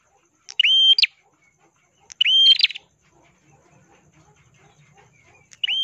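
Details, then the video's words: Ashy tailorbird song used to tutor cagebirds: separate flat whistled notes with upward flicks, spaced roughly one and a half seconds apart, against a quiet background. "burung prenjak kelawu gacor suara kristal cocok untuk masteran❗prenjak kepala merah❗"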